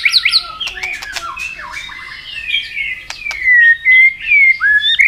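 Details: A white-rumped shama in full fighting form sings continuously in many wild voices, a rich, varied run of fluting whistles and sharp chattering notes, ending in clear, loud whistled phrases about every half second.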